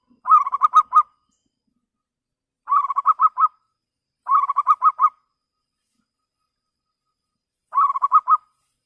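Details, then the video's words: Zebra dove of local stock, a lure singer for calling rivals, repeats the same fast trilled coo phrase four times at irregular gaps of one to three seconds, each phrase of five or six clear pulses, in quiet surroundings. "PERKUTUT LOKAL Suara jernih Biang pancingan Ampuh memanggil lawan Emosi nyahut"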